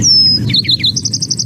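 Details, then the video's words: Lark sparrow song played as an example of remixing, each song different from the last: a long high descending whistle, then buzzy slurred notes, ending in a fast even trill of high notes; low rumble beneath. "So let's listen to this recording, and again, pay attention to how every time it sings, it's different."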